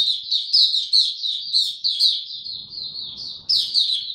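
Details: High, continuous warbling from an Oriental white-eye in buka tiong aw song, brought up to form, dated 3 January 2022. Dense sweet chirps run together with few breaks, faint low murmur in the background.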